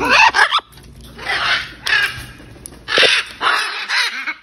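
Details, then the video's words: Hundreds of wild macaws at feeding time give loud, harsh, raspy squawks in overlapping bursts, about five over four seconds, with faint background chatter between them. "100’s of Macaws feeding time"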